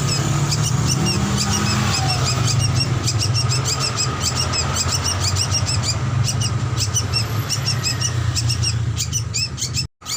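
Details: Drongo singing on a training master recording meant to get birds singing: fast, continuous high-pitched chirps and twittering notes in quick succession, with a constant low mechanical hum beneath, cutting off abruptly at the end.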